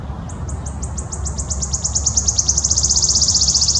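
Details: [['Wood warbler delivering a full song: spaced high ticking notes that steadily quicken into a dense, buzzy, shivering trill, over soft low background noise.']]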